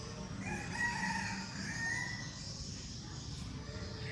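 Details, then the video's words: Seven-month-old red junglefowl decoy rooster from Bom Bo, Bình Phước, Vietnam, crowing faintly: a drawn-out harmonic crow lasting under two seconds, heard over steady background hiss and low rumble. "siêng gáy gà 7 tháng tuổi, gà mồi"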